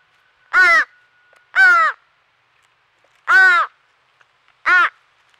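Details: Fledgling crow from a noisy crow family at a squirrel feeder in Nova Scotia, Canada, crying for hours after the family scared a squirrel off. Four loud, harsh, nasal caws come at irregular intervals of about one second.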